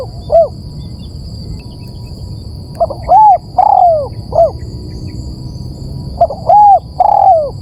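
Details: Spotted dove coos meant to attract birds: two clear phrases of short hoots followed by longer arched and falling notes, separated by a few seconds of quiet hum.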